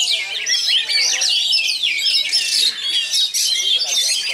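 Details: Oriental magpie-robin (kacer) from Pasbar, described as having luxurious material delivered fast and tight: a dense, unbroken torrent of high chattering, whistled and buzzy notes with rapid varied phrases and no pauses.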